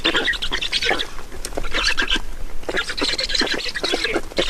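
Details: Estonian black storks at the nest during feeding, 5 June 2019 at 16:28; bursts of hoarse, croaking squawks come in clusters separated by brief lulls, with soft clicking sounds between.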